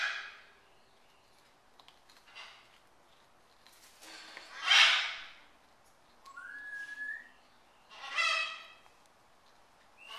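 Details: Pet military macaw snacking on a cracker with peanut butter, making scattered raspy squawks, one loud, plus a short rising whistled note, with quiet gaps between.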